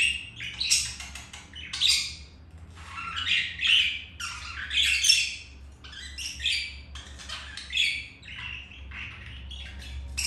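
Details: Pair of budgerigars mating after the male was refused by a white-grey budgie; loud rasping squawks and chattering warble rise and fall in repeated surges over ten seconds, with quieter gaps and steady low hum.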